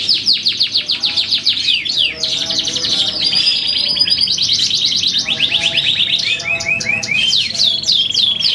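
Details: Darah Biru canary in full song: fast series of descending chips, buzzy rattling trills and sweeping slurred notes chained without pause, bright and high, over faint low background noise.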